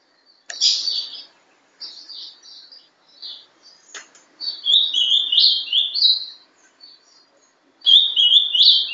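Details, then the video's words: Paraná-style song of a ringed young captive ultramarine grosbeak born in December 2012. Short separate chirps give way to a loud rolling warble of rising and dropping whistled notes, and another phrase starts near the end. "Azulão Sobe e Desce.(Bizulão) Filhote de alta genética. Canto Paraná."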